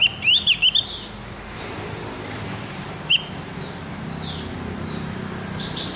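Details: Javan grey-throated white-eye song used as a training recording in the morning to get captive birds singing quickly: a quick cluster of clear whistled notes near the start, one lone whistle at three seconds, and steady low traffic rumble.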